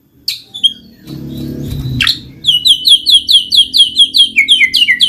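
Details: White-rumped shama song meant to prompt idle birds to sing: a few high notes over faint low noise, then a steady rapid series of sharp downslurred whistled notes, about two or three per second.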